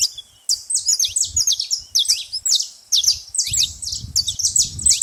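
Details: Saffron finch making a racket at a baited feeding spot: clustered high chirps and downslurred notes, with low rumbling noise in the second half.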